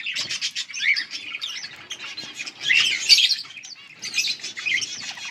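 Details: Beautiful yellow budgies chirping in a lively chorus of high, chattering warbles and quick chips, swelling in loudness around the middle before easing and rising again.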